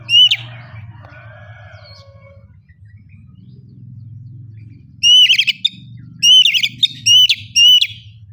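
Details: Oriental magpie-robin in loud ngeplong lure singing; an opening whistle, then soft warbling and a burst of four quick whistled notes with buzzy tails in the last seconds, over a constant low drone.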